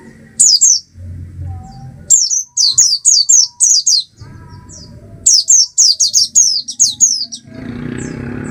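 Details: Oriental white-eye (Zosterops palpebrosus) singing in quick bursts of four to six thin, high, downslurred whistled notes, with brief pauses between bursts and a soft low rumble underneath.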